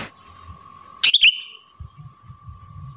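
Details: Moulting sooty-headed bulbul kept at home gives one quick, loud bubbly phrase of a few warbled notes, with a steady faint tone and soft low knocks around it.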